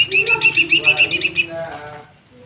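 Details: Lesser green leafbird song meant to rile rival birds, a quick string of ringing high notes repeated several times per second before fading into faint low background sound.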